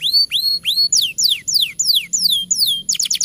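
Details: Canary giving training song to spur young or quiet canaries: rising upswept whistles, then a run of steep downward-slurred whistled notes about three per second, ending in a quick stuttering trill.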